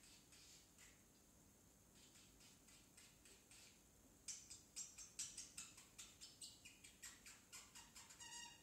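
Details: Young pet parrotlet, still a baby, making early talking attempts; after four seconds of quiet, a fast run of short, sharp, high chirps, about two or three each second, fading toward the end, in a quiet room.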